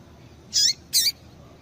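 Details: Female double-collared seedeater calling to excite males; two loud, high, buzzy chirps about a third of a second apart, with quiet hiss around them.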